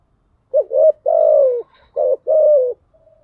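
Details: Lure calling by a female spotted dove to excite males, thúc gù and gáy gọi styles: two paired units, each a quick short note followed by a longer falling coo, in clean quiet surroundings.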